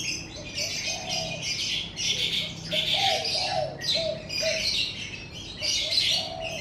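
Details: Several birds chirp and twitter in a lively morning chorus in front of a house. Bursts of high, busy notes repeat every second or so, with soft low cooing notes woven beneath and a faint low hum.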